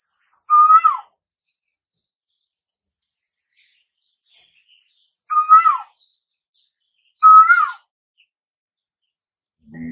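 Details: Asian koel calling in the season said to bring summer: three strong, slightly rising whistled notes with a falling tail. The first is followed by a long pause, the last two come about two seconds apart, and a faint low sound follows.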